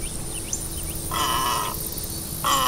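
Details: Great egret giving two harsh, raspy croaks, the first lasting over half a second and the second starting near the end, over steady low background hum and faint high chirps.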